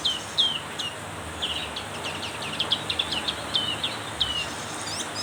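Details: In heavy rain, a Black-capped white-eye sings a lively run of thin, high, falling chirps, some in quick doublets, repeated through the clip above a constant rain hiss.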